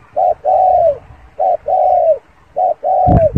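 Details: Spotted dove cooing: three low phrases, each a short note followed by a longer, slightly falling drawn-out coo, repeated about every 1.2 seconds, with a sharp knock at the end.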